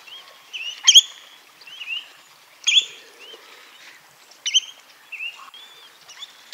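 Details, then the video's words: Spotted redshank: strong, clipped whistled notes repeated every couple of seconds, between them thinner rising and falling whistles and faint chirps from other birds. "صوت حمراء ساق رقطاء Spotted Redshank sound"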